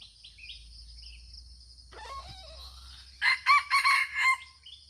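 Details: Red junglefowl of Aceh: a low grating call, then a fast crow of four loud broken syllables with a ringing tone, backed by a constant high insect buzz and low rumble.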